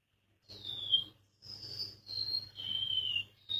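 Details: Golden-bellied gerygone song of four high, sweet whistled notes, the first and last gliding slightly downward, each held under a second with brief gaps, a faint low hum beneath.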